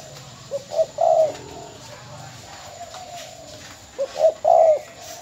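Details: Spotted dove from Bến Tre, a decoy bird of the mồi mỏ công type, since sold: two three-part coo phrases about three seconds apart, each two short low notes then a longer drawn-out coo, over faint background hiss.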